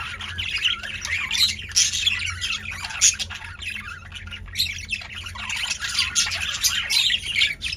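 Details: Several male budgerigars in a cage, very active, fill the recording with dense, overlapping chattering warbles and harsh squawks that run continuously. A steady low hum sits underneath.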